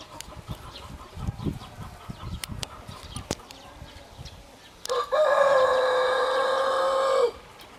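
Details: Crowing rooster. Scattered clicks and a low background are followed by a long, loud crow of about two and a half seconds, steady in pitch with a slight dip and a clean stop.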